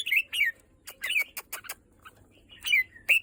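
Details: Red-whiskered bulbul giving short, loud whistled phrases that slur downward, separated by quiet gaps and sharp dry clicks, with a final clear rising whistle.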